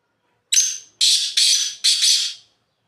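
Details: Black francolin calls from atop a rock, giving a short rasp and then three longer, coarse, buzzy notes run together, each trailing off, about two seconds in all, in otherwise quiet surroundings.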